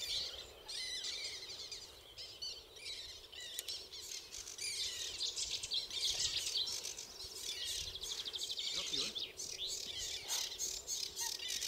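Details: A male common linnet at the Zouweboezem in May, recorded from the footpath, twitters in quick, dry, high-pitched notes, several strung together rapidly and steadily, with faint background rustle and possibly other small birds.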